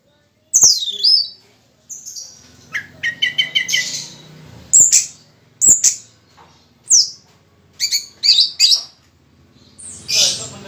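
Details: Orange-headed thrush singing during moult: a varied string of high whistles, buzzy trills, quick chirps and swooping slurs, with phrases repeated every second or so after a short silent start.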